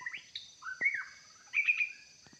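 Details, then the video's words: White-rumped shama song used to lure wild forest birds into a trap: varied whistled phrases with sliding rising and falling notes, a short pause, then a bright run of clipped high notes, over a thin steady high hiss. "Denak murai batu"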